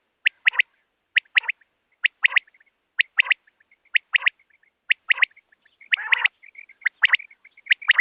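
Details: Quail calling at night, a recording played to lure quail for hunting: sharp, clipped notes in quick pairs and triplets, repeated about once a second, with soft chirping between groups and a rougher burst near the sixth second.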